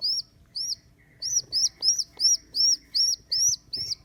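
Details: Rescued rock pigeon nestling, abandoned by its mother, squeaks: two spaced high peeps, then a rapid even series of thin, curved whistled notes, with faint rustling below.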